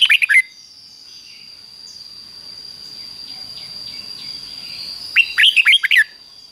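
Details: Red-whiskered Bulbul, doubled-style song for chicks to copy: the tail of one phrase opens, then after a quiet stretch of background hiss, another run of about six fast slurred whistles; a steady high tone persists throughout.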